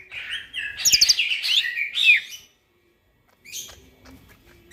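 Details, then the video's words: Night song of a greater green leafbird: a dense, tumbling two-second warble of chirps and whistles, then quiet with a few faint notes. "burung cucak ijo bunyi tengah MALAM GACOR"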